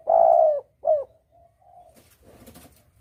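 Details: Spotted dove calling, a clear lure recording for bird hunting: a long, slightly falling coo followed by a short second coo, then softer trailing notes and faint rustling.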